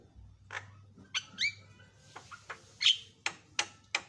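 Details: Javan myna song from a tutor recording for other birds: a sequence of scratchy clicks, a rising whistle, and sharp squawks spaced irregularly, roughly one every half second, over a soft low hum.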